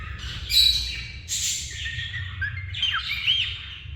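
A cockatiel sings a run of bright chirps and whistled notes, some sliding and warbling.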